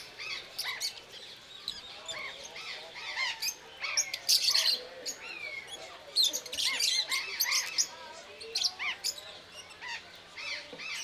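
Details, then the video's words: Flock of rosy-faced lovebirds, or Agapornis roseicollis, at Belgrade zoo in Serbia, recorded October 2022 with a Panasonic AG-CX350; dense high-pitched twittering and screechy squeaks, many birds calling at once, steady throughout. "Ljubavna ptica - papagaj agapornis／rozenkolis│Lovebird│Agapornis roseicollis"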